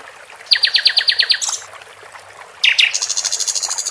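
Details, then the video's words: Sikatan Londo flycatcher kept in a cage, recorded with splashing water behind it, giving a fast series of sharp high notes. After a pause it gives a thin, rapidly repeated buzzy trill, over a low background hiss. "Sikatan Londo di Iringi gmricik air cocok Untum Masteran Dan memancing jagoan bos kuh berbunyi"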